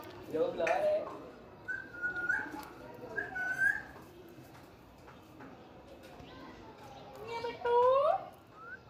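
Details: Pet parrot talking in a cute voice, words in Urdu or Hindi: bursts of voice-like sounds with whistled rising and falling notes, a loud curving whistle near the end, quiet room noise between.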